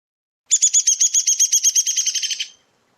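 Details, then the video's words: Downy Woodpecker whinny: about sixteen quick, high, sharp notes in two seconds, running together and sliding gently downward in pitch as they fade; the downy's whinny descends, unlike the hairy woodpecker's, which stays on one pitch. "Downy has a whinny that descends."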